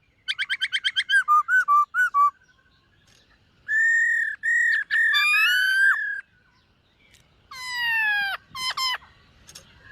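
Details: Morning voice-training song of a displaying white-cheeked laughingthrush: quick stuttering whistled notes, then longer steady whistles, one falling slur and a final sweeping downward phrase, separated by short silences.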